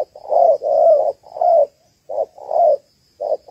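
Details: Female spotted dove, Malaysian type, cooing to excite males as a trap decoy. Drawn-out, hoarse coos with short clipped notes between them, in an uneven rhythm, over a thin constant high tone.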